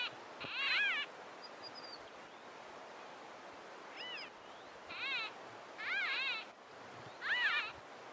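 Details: Three White-fronted Bee-eaters interacting near Carlisle Bridge, Grahamstown: short bursts of rolling liquid chirrups, birds trading calls every second or so over steady hiss; White-fronted bee-eater.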